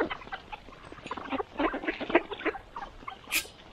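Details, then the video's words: Mallard ducks feeding in the morning give a thick run of harsh, short quacks that swell in the middle. A sharp rushing burst comes near the end. "Morning Feeding, Mallard Ducks"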